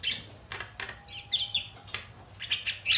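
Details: Javan myna chattering in harsh, scratchy bursts with quick high whistles in between, about one burst every half second, with a faint steady tone underneath.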